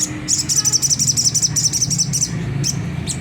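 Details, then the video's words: Sunda whistling thrush giving the harsh ngriwik kasar chatter used to provoke caged birds into song: a rapid run of about fifteen high rasping notes over two seconds, then two isolated notes, with a constant low drone behind. "pancingan jernih suara sogon ngriwik kasar nembak gacor"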